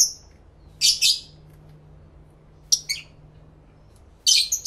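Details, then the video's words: Pet lovebirds calling back and forth, recorded in stereo with two external camera microphones: loud, harsh, shrill squawks in bursts of two or three, broken by a few quiet seconds, ending in a dense chattering cluster. "1 Hour Lovebird Sounds"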